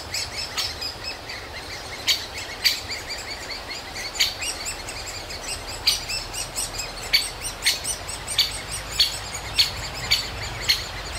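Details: Nestling great spotted woodpeckers in an old aspen calling nonstop for food as the parent pair feeds them; sharp high chips come in uneven bursts, growing denser toward the end, over low background hiss.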